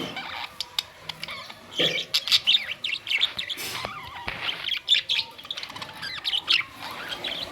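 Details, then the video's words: Budgies recorded May 2, 2023 give bursts of bright chirps and chattering notes, loudest in the middle, with short gaps and some clicking. "Budgies parrots"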